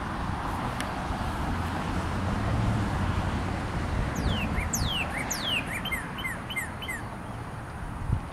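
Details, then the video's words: Northern cardinal, a male, singing on 22 February 2013: several clear whistles swooping down from high to mid pitch, followed by a rhythmic series of brief down-slurred notes; constant low background rumble. "Red Cardinal singing his little heart out"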